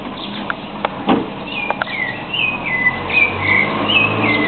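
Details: Rufous-bellied thrush singing early in the morning: clear whistled phrases, some sliding downward and others level, repeated in quick succession over steady traffic rumble and a passing vehicle.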